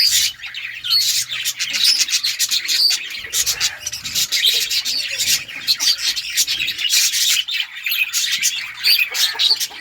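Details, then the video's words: Lovebirds of various mutations singing and chirping together in a continuous shrill chatter of high, scratchy, rapid chirps with no pauses. "Lovebirds singing & chirping sounds - All mutation sounds"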